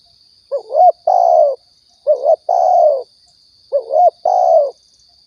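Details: Spotted dove from Riau, Indonesia, recorded as a lure for trapping and hunting: a two-part call, a wavering rising coo followed by a longer falling croo, given three times at about 1.5-second spacing, with a steady thin high tone throughout.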